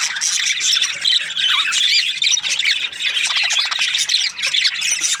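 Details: Budgie chirping, a steady flurry of shrill, scratchy chirps and short squawks tumbling over one another, with many voices seeming to overlap throughout.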